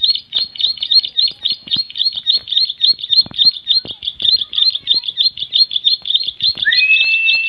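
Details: Bar-winged prinia (ciblek) calling loudly in a rapid stream of sharp, high chirps; near the end a smooth rising whistle from another sound joins in.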